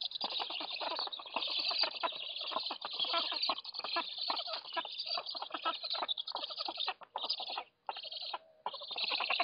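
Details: Black stork chicks at a nest near Lodz, Poland, being fed on the morning of 29 July 2018, recorded by a nest camera. They give dense, harsh, raspy calls in rapid overlapping bursts with brief pauses near the end.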